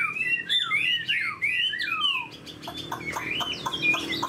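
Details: Chinese hwamei in a cage, a spread-tailed bird with an eagle-wing display, said to fight well. Quick falling and rising whistles fill the first half, followed by quieter notes mixed with clicking sounds.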